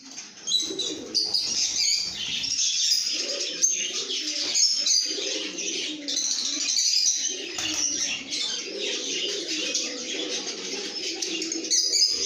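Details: Happy lovebirds singing and chirping in good spirits: a busy flock chorus of rapid shrill squeaks and scratchy twitters, with bursts of lower, softer murmuring tones woven in and a brief quieter start.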